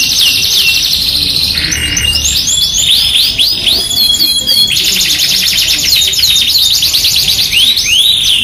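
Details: Masteran of a Yorkshire canary singing in full voice: buzzy rolling trills break into quick sweeping whistles, a brief lower tone near the two-second mark, then long rattling rolls and rising arched notes.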